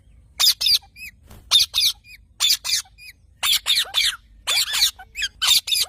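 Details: Chirping parrot: paired rough squawks repeated roughly once a second, with small upward-flicked chirps and squeaks filling the gaps, in a quiet setting.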